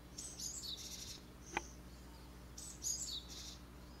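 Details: Japanese tit chicks at a nest box in a garden holly tree in a residential area near a mountain village, around fledging of six young; high thin chirping bursts near the start and again after a pause, with a sharp click between.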